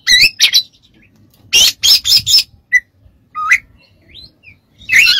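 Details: Oriental magpie-robin singing for training other birds, with rapid clusters of rasping, broadband notes followed by isolated whistled slurs and short upward sweeps, separated by quiet gaps.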